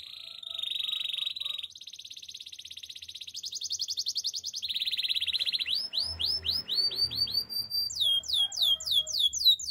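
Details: Canary delivering a long varied song: steady buzzy trills shifting pitch every second or two, then sharp repeated upward-sweeping whistled notes.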